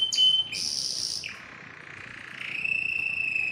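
A canary sings: a sharp high note and a buzzy burst, then a long, fast rolling trill that steadies into a bright, sustained whistled tone.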